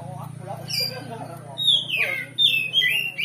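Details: Oriental magpie-robin in loud provoking song: long whistled notes sliding downward and warbled flourishes repeated in quick phrases, over a constant low droning hum.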